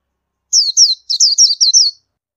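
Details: Indian white-eye uttering a rapid string of about six thin, high, falling twitter notes run together in a little over a second, with a quiet background.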